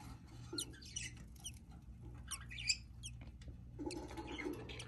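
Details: Budgerigar hatchling emerging from the egg makes clusters of high, squeaky chirps and brief twittering notes, some doubled, against a low electrical hum and light rustling.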